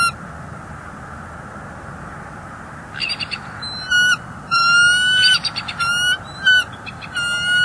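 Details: Bald eagle calls at a nest in winter, an intruder eagle present while the nesting female vocalizes her displeasure; after three quiet seconds, a run of high, thin piping notes with staccato chatter, repeated in quick bursts over steady background hiss.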